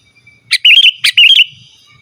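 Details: Loud sooty-headed bulbul song, free of mimicked fillers, meant to lure rival wild birds and tutor caged bulbuls: two quick, bubbly whistled phrases in succession, each opening with a sharp note and rolling into a chirpy warble.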